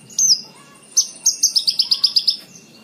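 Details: Singing lark from a recording for tutoring cage birds in Indonesia: a drawn whistle, then a fast regular trill of about eight bright high notes, clean and loud over light hiss.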